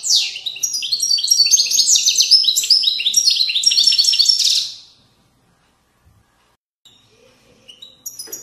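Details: Widani-style European goldfinch song from Moroccan valleys: nearly five seconds of rapid, liquid twittering and bright trilled notes, then silence with a few faint chirps.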